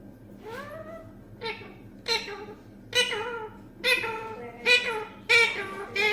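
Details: Green parrot kept as a pet, talking in Bengali, reportedly saying Allah and announcing a guest: a string of short nasal, speech-like syllables, about seven bursts in six seconds, indoors with low room hum.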